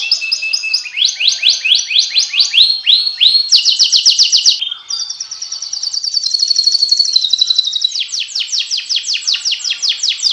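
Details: Kenari, a canary, sings rapid tours: clipped descending notes, a quick rattle, a long high warbling roll, then another run of fast sweeping notes.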